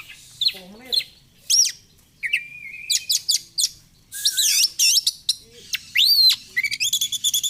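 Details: Oriental magpie-robin, a caged Indonesian kacer kept as a singing fighter bird, delivering a varied song of sharp whistled sweeps, rising and falling slurs, buzzy trills and rapid chattering notes in quick bursts, with a quiet low hum beneath.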